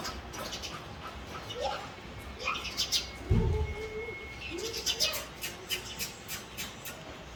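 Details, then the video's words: Male house sparrow giving short, bright chirps in a quickening series, with lower murmuring sounds, possibly voices, and a soft thump in the background. "Male Sparrow Call, Male Sparrow Chirping Sound"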